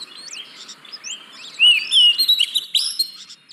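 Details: Oriental magpie-robin song used to stir reluctant birds into singing. Soft scratchy notes open the phrase, then loud clear whistles and chirping slurs break out from the middle onward.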